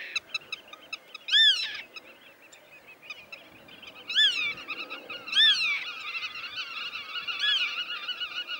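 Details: Black-tailed godwit of the Dutch polder meadows, a migratory breeding bird. Quick clipped notes open, then loud arched nasal squeals come every second or so over continuous wavering chatter, possibly several birds calling.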